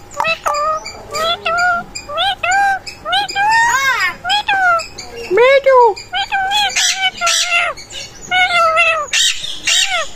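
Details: A pet talking parrot rapidly repeats short Bengali words such as "mithu", "o kaka uth" and "tomar nam ki" in nasal, harmonic syllables; it reportedly says 15 words.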